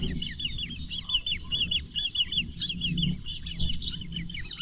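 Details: Great crested grebe giving fast repeated thin, down-curving piping notes in a continuous chatter, with low background rumble.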